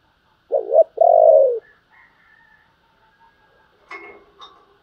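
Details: Spotted dove cooing, urging and calling style: a loud two-part phrase opens, a short double-peaked note then a long falling coo, followed by faint scattered sounds.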